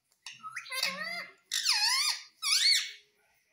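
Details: Talking pet parrot indoors, said to say "mummy" and "papa"; three drawn-out, speech-like syllables with swooping, harmonic tones, each about half a second to a second long.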